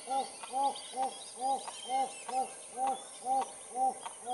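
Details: Wattled jacana (Jacana jacana) watching over its chicks gives about nine nasal, arched notes, each a quick rise and fall, evenly repeated roughly twice a second; faint chirps of other birds behind.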